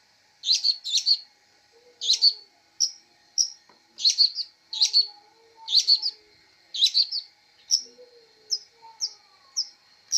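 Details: Long-tailed shrike in a lengthy chirping sequence, loud clipped chirps repeated roughly every half second, some doubled, mixed with short high whistled notes; faint lower tones in the background.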